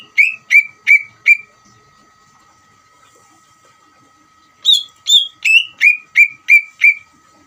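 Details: Greater green leafbird singing energetically as a provocation for an untrained bird to respond. Four quick falling whistles, a pause with a steady faint electronic tone, then seven more loud downslurred whistles, the first ones higher pitched.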